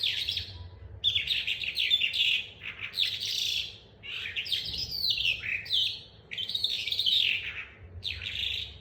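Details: Calandra lark (Melanocorypha calandra), a captive bird still learning to roll, singing a dense, fast stream of high twittering, trilling and chirping phrases, each lasting a second or two, with brief pauses between them.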